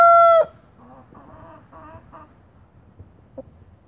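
A young Deutsches Reichshuhn cockerel tries to crow: one loud, high, strained note that breaks off, then a few faint, scratchy attempts.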